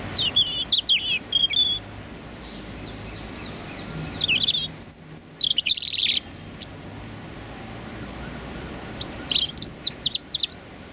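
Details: Male European robin, wild in London, singing his territorial song from 30-60 cm on a freezing January rush-hour morning with a northerly wind; high, thin, rapid warbled phrases with sharp trills, separated by pauses, over faint traffic hum.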